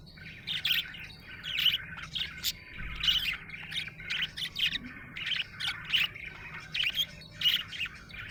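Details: Happy budgerigar giving bursts of bright chirps and scratchy warbles in pulses roughly every half second, some notes louder and squawky, set against a quiet low hum.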